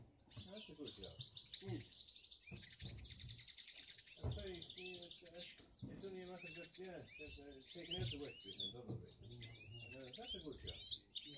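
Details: Three male finch mules, last year's birds, singing together: a continuous high, rapid twittering with buzzy trills and sweeping notes, while a person talks in the background.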